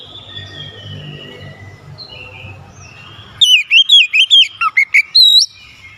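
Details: Oriental magpie-robin in constant song, used to stir a lazy bird: a low hum gives way to a lively burst of quick, twisting whistled notes with a lower dipping note near the end.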